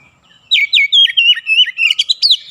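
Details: Oriental magpie-robin singing a rapid 'ngerol nembak' phrase of roughly nine clear whistled notes, each swooping up or down, delivered in quick succession after a brief silence.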